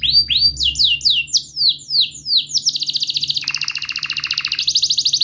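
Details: Canary singing long and rolling, meant to coax a silent canary into song: quick downward-swept chirps at first, then a fast even trill that drops into a lower buzzing roll before rising again.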